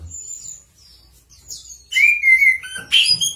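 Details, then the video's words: Chestnut-capped thrush (anis kembang) singing: faint high thin whistles at first, then louder varied phrases with a clear slurred whistle and sharp high notes in the final second and a half. "Anis Kembang Gacor | 栗頂地鶇 | Chestnut-capped Thrush | クリガシラジツグミ | Красношапочный земляной дрозд"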